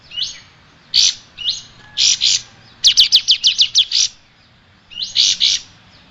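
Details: Striated grassbird singing, recorded as a tutor track for cage birds: short upslurred whistles and clipped double notes, then a fast run of about eight sharp, evenly spaced chips, closing with more rising whistles and paired notes.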